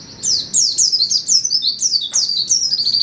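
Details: Pleci, an Indonesian white-eye, delivering 'setan timur' song: bright, rapid high chirps in quick succession, evenly repeated throughout, with a faint click midway.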